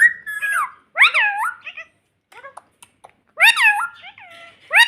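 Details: Pet parrot talking, said to say "mummy": short high, nasal, voice-like syllables with sweeping upward and downward inflections, in two bursts separated by a quiet gap with faint clicks.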